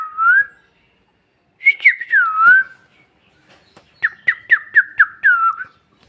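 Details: Bhojpuri talking parrot whistles a rising note, a falling slurred phrase, then a quick series of about six short stuttered notes ending in a soft downward glide.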